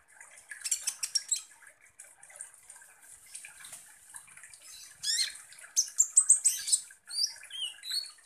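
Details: Van Hasselt's sunbird song used to provoke konin birds: soft, faint high twittering at first, building into louder rapid chips, a fast high trill and a few clear downslurred whistles at the end.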